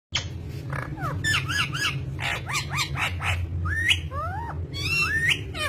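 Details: Pet green ringneck parrot making a busy run of harsh squawks, chirps and short rising whistled notes, with a steady low hum behind.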